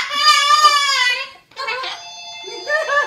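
A cockatoo gives a long, wailing, voice-like cry that slides downward, then a pause and several shorter, broken, speech-like phrases, all indoors.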